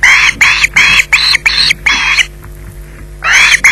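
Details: At the Loch Garten nest, an osprey clutching a fish delivered at 20:33 gives a rapid run of about seven loud, rasping screeches, falls silent for a second, then resumes with two more.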